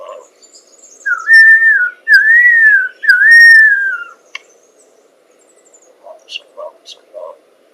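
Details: Lyrebird imitating a car alarm with three loud, clear whistled phrases, each sliding gently downward, followed by quieter scattered clicks and short soft notes.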